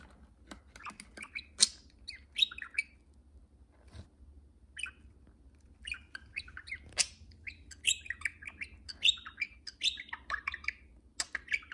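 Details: Pet budgerigars in indoor free flight, two birds calling to each other: irregular high chirps, clicks and rasping warbled notes, busier toward the end.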